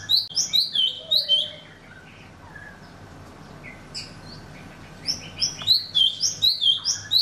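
Golden-fronted Leafbird giving quick, high, sweet chirps and slurred whistles, about four a second, in two bursts split by a brief quiet gap.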